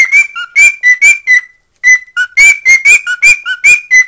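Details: Pet male cockatiel singing, whistling a quick tune of clear notes that hop between a higher and a lower pitch.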